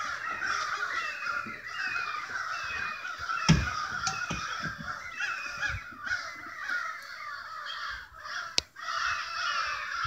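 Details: Loud massed cawing from a flock of agitated crows, stirred up for unknown reasons. Many harsh, overlapping calls rise and fall in waves, with a few sharp knocks and low rumbles in the background.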